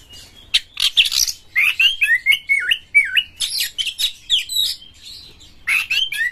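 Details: Singing white-rumped shama, played to get other shamas singing; buzzy bursts give way to a sequence of wavering, dipping whistles, followed by further harsh phrases separated by short gaps.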